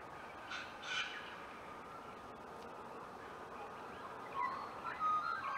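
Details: White-winged choughs nest building in Clunes, Victoria, on 27 September 2021; two short harsh rasping calls close together near the start, later softer grating notes, all over a faint steady high tone and quiet background.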